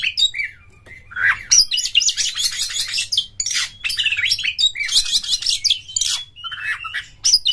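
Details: Oriental magpie-robin (kacer) song used as a lure to make other magpie-robins spread their tails, sing their full repertoire and fight; loud, varied, rapid phrases of high buzzy chatter, sharp sweeps and short whistles, with brief pauses between bursts.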